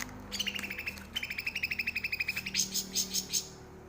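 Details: Cucak rante bulbul, a bird now becoming rare in the wild forests of Aceh, in a lively song used to tutor captive birds: fast series of bright, high chirping notes in rapid pulses, with brief whistled strokes and faint low hum behind.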